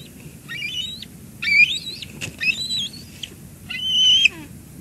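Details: Wild bald eagles at a nest at Two Harbors, filmed by live cam on 17 July 2022 as an adult delivers lunch to the eaglet. The calls are high, thin, piercing whistles in four uneven bursts, with wavering, stepped notes.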